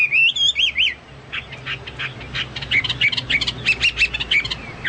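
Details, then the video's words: Chinese hwamei singing actively, likened to cucak Papua or cucak mas. A brief burst of wavering whistles opens, followed by harsher chattering notes and a quick series of short repeated whistles. "burung hoa mi seperti cucak Papua atau cucak mas gacor"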